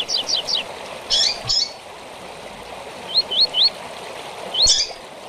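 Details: Double-collared seedeater tui-tui song with chirps, a training recording for young birds. Three quick downslurred notes and buzzy chirps open, then three rising whistles and a final harsh chirp over soft rushing noise.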